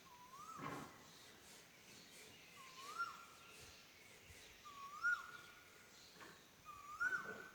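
A cuckoo repeats a clear whistled note that rises and then holds steady, four times at about two-second intervals, over soft rustling and faint background hiss.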